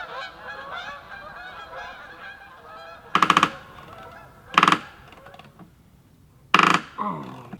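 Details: Canada geese, likely a flock, give three loud, harsh, nasal honks a second or two apart, over softer chatter of more distant honking from the flock.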